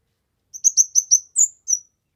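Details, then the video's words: Kemade for masteran and pancingan: a quick phrase of five bright, high-pitched chirps, then a higher whistled note and a closing downslur. "Burung Kemade GACOR...Cocok untuk MASTERAN, PIKAT DAN PANCINGAN"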